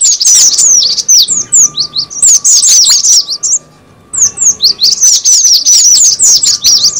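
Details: Lure call of the cinereous tit: bursts of bright, high downward-slurred chirps in quick succession, broken by a clear half-second silence midway, with a faint steady hum in the background.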